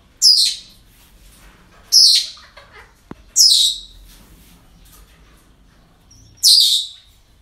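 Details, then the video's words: Parrots at a breeding centre during an ordinary day, with four harsh, high, downward-sweeping squawks spaced about one to three seconds apart and a brief click between them. "Relajación Loros En El Centro De Cría"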